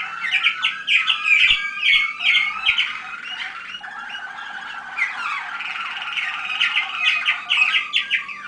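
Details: Waterslager canaries, young birds of 2010, at a listening session on 25 November 2010; rapid bubbling trills with sharp repeated notes, a short pause, then an even rolling trill resuming, with a few faint clicks.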